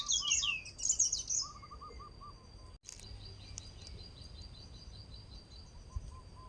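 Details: Male pied bushchat singing: a loud burst of quick high chirping, warbled notes in the first second and a half, then quieter faint ticking notes over a steady high insect-like drone.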